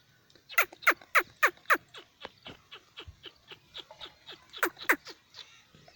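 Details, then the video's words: Francolin, locally called teetar, giving a sequence of sharp, clipped notes about four per second, a loud burst of five, softer ones, then two more loud notes. "teetar voice. francolin voice."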